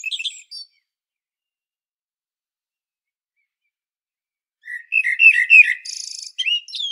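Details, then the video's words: A common blackbird on Sljeme, Zagreb, Croatia: the tail of one phrase, a long pause, then a busy phrase of fluted whistles blending into buzzy, high, squeaky notes. Recorded with a Panasonic Lumix DC-TZ90. "Il Canto del Merlo 🍀 Mirlo Cantando 🍀 Merle Noir Chant 🍀 Amsel Gesang 🍀 Blackbird Song 🍀 Kos pjeva"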